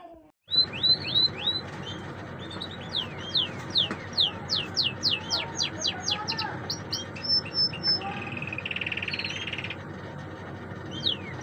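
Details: Canary song of rapid, sharp, downward-slurred high notes and short whistles. A loud, steady hum runs underneath, with a brief buzzy trill near the end.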